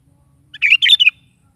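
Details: Sooty-headed bulbul singing in the morning, meant to prompt a pet bulbul to respond; one quick bubbly phrase of bright chirps split into three short bursts over a faint low rumble.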